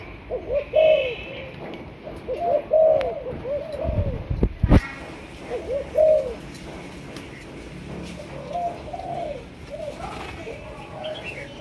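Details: Spotted dove of Malaysian strain, a young bird being trained as a decoy, cooing in low hollow notes grouped in short bursts about every two seconds; a sharp knock and rumbling thud midway, with faint chirps in the background.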